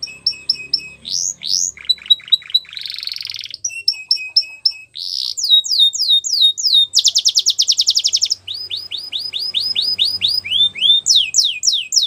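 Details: Canary song used for training young canaries: high, rapidly changing phrases of sharp whistled notes, buzzy rolls, fast repeated chips and sweeping upward slurs, each phrase a few notes to a second long, sung continuously without pause.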